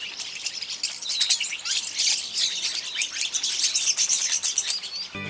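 A flock of Rosy Starlings keeps up a constant cacophony of dry, scratchy, high chattering calls, many voices overlapping without pause; a brief thump closes the recording.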